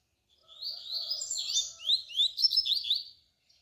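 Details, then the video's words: Double-collared seedeater song of the tui tui style, used as a tutor recording to teach young birds: a continuous run of sweet, rapidly slurred whistled notes rising and falling, about two and a half seconds long, on a quiet background. "coleiro canturia bitola para ensinar seus filhotes"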